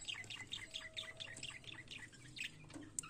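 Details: Budgerigar heard in the morning, giving a rapid run of high chirps about twice a second, then softer warbling and a final sharp squeak.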